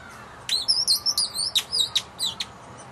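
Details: Young woodpecker calling hungrily while being fed at a patio bird house where it roosts nightly; around nine sharp, high-pitched squeaky notes in an uneven, excited series over two seconds against a quiet background.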